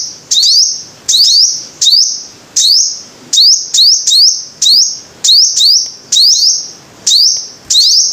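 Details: Five-coloured sunbird: high, sharp upslurred calls in singles and twos, each followed by a short sustained whistle, repeated at irregular gaps of around a second.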